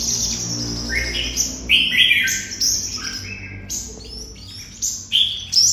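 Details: Red-whiskered bulbul from Đồng Nai, Vietnam, in 'hút mật' singing: jumbled whistled and chirped notes, some rising slurs, delivered in uneven quick phrases with a faint low hum beneath.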